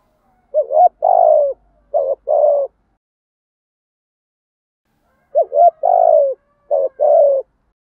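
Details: Spotted dove used as a decoy bird, cooing in the morning to call the flock home: two low, hollow cooing phrases of four notes, a short note then longer mellow coos, about five seconds apart, in quiet surroundings.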